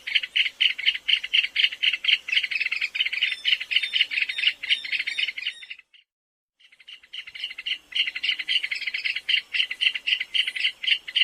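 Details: Plump, secretive South American rail that creeps through scrub and savanna, trilling in high clicking pulses, with a brief silent pause midway before the stuttering trill resumes.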